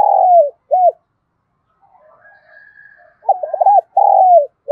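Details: Spotted dove used as a decoy bird, cooing in the morning to call rivals; a local 'thổ' voice style. Loud low coos: a rapid wavering burst then long falling notes, with faint higher chatter between phrases.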